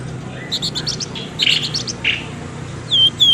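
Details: Bird lure calls played to draw birds out of bushes: bursts of fast, high chirps and short buzzy notes, ending in loud descending whistles, over a steady low hum and background hiss.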